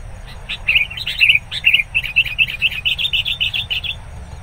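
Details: Wild sooty-headed bulbul during trapping, worked up when a rival comes near: a continuous run of quick, bright chirps, roughly two per second at first, then speeding into a steady rattling series of clipped notes.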